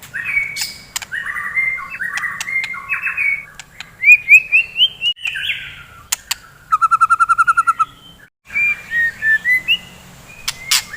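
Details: White-rumped shama, a fighting bird, singing in the morning: varied whistled phrases and chatter, a fast buzzy trill of rapid repeated notes midway, then more short whistles, with scattered sharp clicks.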